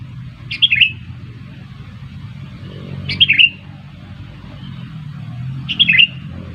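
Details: Sooty-headed bulbul recorded for trapping birds by luring them. A short, bubbly, warbled phrase comes three times, roughly every two and a half seconds, over a steady low rumble in the background.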